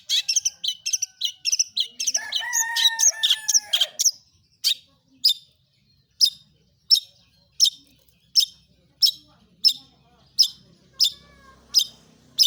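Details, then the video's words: Lure recording of a long-tailed shrike singing hard to draw other shrikes into song: a rapid scratchy chatter with mixed whistled notes for four seconds, then sharp single notes repeated about every half second. "pentet PASTOL gacor"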